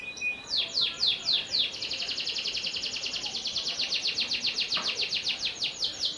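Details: Panda canary singing, kept without cage bars: a fast, bright trill of rapidly repeated high notes, about four per second, after a few opening whistles and sweeps, with light background hiss.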